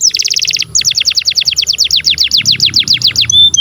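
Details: Canary singing a long, lively song meant to teach and prompt young or silent canaries: a fast buzzy trill, then a steady run of sharp descending whistled notes at about seven per second, ending in a short flat whistle.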